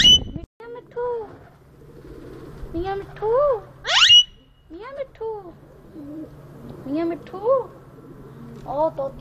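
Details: A ringneck parrot in Bahria Town, Lahore, Pakistan, talks in short bursts of arched, voice-like syllables spaced a second or two apart, broken once by a shrill rising screech, with a steady low hum behind.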